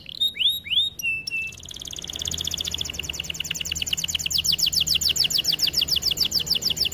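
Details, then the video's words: Canary song from a training recording: a few upward-swept whistles and a held note, then a long fast buzzy trill of rapid repeated notes that grows louder toward the end. "Melodies Canary bird song | Training video"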